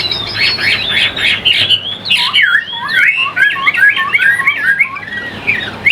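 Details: Songbird Chinese hwamei in captivity in Vietnam delivers high, clear whistled notes, then a rapid series of repeated downslurred phrases dropping from high to middle pitch, loud and lively.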